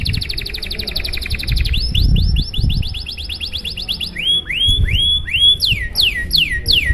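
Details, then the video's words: Long, fancy canary song meant to spark singing in other canaries: a fast high trill, a series of rising swooped notes, slower upward-curving whistles, then steep falling whistles, over low rumbling noise. "Suara Burung Kenari GACOR PANJANG Gaya Mewah! Buat memancing Suara Kenari lain Agar IKUT GACOR"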